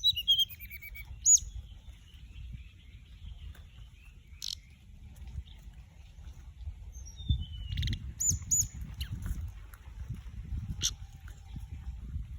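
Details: Flycatcher lure call, high thin whistles with a falling run of notes near the start and bright chirps later, above a low rumbling background; a male and a female are said to fly about.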